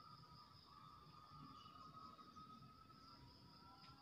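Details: Faint, steady hum with two continuous high tones and low rumble throughout; no calls or animal voices stand out.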